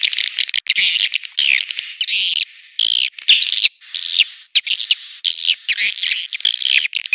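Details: Swiftlet call played to lure swiftlets, 2021: bursts of high, harsh twittering broken by short gaps, over a faint continuous high whine.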